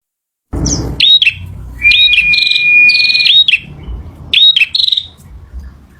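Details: Male bar-winged prinia singing: a long steady high whistle held for over a second, framed by short buzzy rattling bursts and quick upslurred notes, with a thump at the start.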